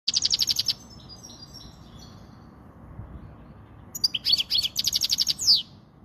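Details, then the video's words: European goldfinch, Spanish-style song for tutoring young goldfinches and exciting females: bursts of rapid twittering notes, then a pause, then a quick string of tinkling chirps ending in a sharp slurred note; faint background hum. "تغريد الحسون الاسباني"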